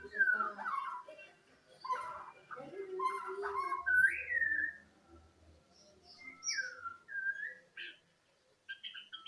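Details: Odd chicken-like song from a white-rumped shama: rich jumbled whistles and lower grating notes at first, then separate clear rising and falling whistled phrases with brief gaps between them.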